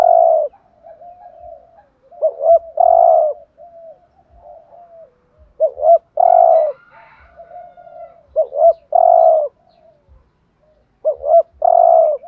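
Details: Spotted dove in 'thúc gù' urging style for rousing other doves: about four phrases in a steady series, each two clipped notes then a long coo, with soft murmured coos filling the gaps.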